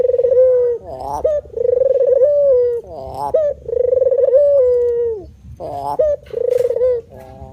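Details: Persistent manggung cooing from a male spotted dove: a run of about four low coo phrases, each a shaky climbing note followed by a drawn-out smooth tone that slowly falls away.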